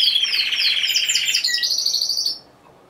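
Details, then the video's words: Timbrado Español canary, a single bird entered in the individual C2 category at a song competition and exhibition in Greece, November 2015. It gives loud, metallic, rolling trills in a steady stream, then briefly rises to higher notes and stops abruptly after about two and a half seconds. "Καναρινιών Φωνής Timbrado Español"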